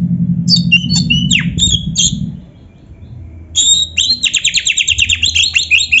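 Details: Oriental magpie-robin (kacer) in a full-filler training song, an opening burst of high varied whistles, a brief pause, then a fast, even trill of repeated sharp notes, with low hum underneath.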